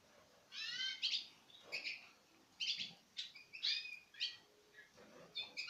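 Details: Citril finch pairs eating from the hand in 2016 utter a series of high, bright chirps and stacked twittering calls in short bursts, about two per second, over a quiet background.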